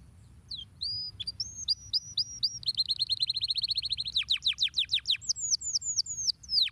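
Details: Canary singing a long, sophisticated song: whistled notes sliding down from high pitch, a fast even trill of rapid repeated notes, then deep plunging sweeps and high chirps, all clear over faint low background hum.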